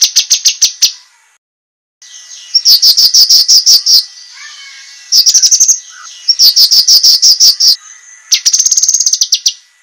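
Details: Sharp master song of a cucak kinoi for training competition birds, with rapid, high-pitched chirps delivered in repeated bursts, separated by brief pauses and lower twittering notes.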